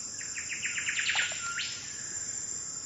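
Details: Mangrove whistler (Pachycephala cinerea) song in the Andaman and Nicobar Islands, India: a quick run of about nine clear whistled notes, then a single sharply rising whistle, over a steady high insect drone.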